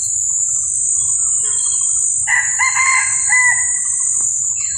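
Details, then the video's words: Red junglefowl crowing, a single drawn-out crow with a rising start and wavering, falling end, set against loud constant high insect buzzing and faint background bird chirps. "ไก่ป่า ขันเสียงดีมาก"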